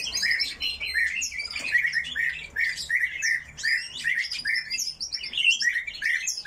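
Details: Coal tits kept together in an aviary call continuously: quick, high twittering notes and sharp chips tumble over one another without a break.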